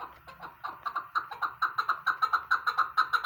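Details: Chukar partridge calling: a rapid, accelerating series of short clucking chuk notes, around two per second at first and then quicker and louder.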